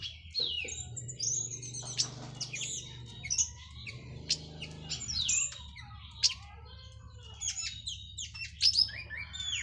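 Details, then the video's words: Local Cililin orange-headed thrush past its moult, singing teler style: a dense, nonstop stream of sharp high chips, sweeps and slurred whistles over a steady low droning hum. "KICAU ANIS MERAH PLONG + TELER LOKAL CILILIN BERES MABUNG"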